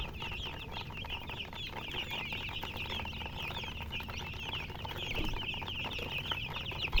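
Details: Numerous chicks peeping nonstop, thin high chirps tumbling over one another in a dense, even chorus that swells slightly toward the end, with low background rumble.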